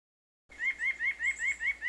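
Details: A White-breasted Nuthatch, a feeder bird in Michigan, gives a quick run of nasal, upslurred notes, about five each second, steady in pitch and rhythm, with nothing else heard.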